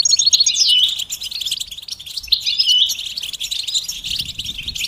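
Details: Stimulating song of European goldfinch, betbeta style, to cure a male's silence: fast jingling twitter with a couple of clear down-slurred whistles, phrases rising and fading, light rumble late on.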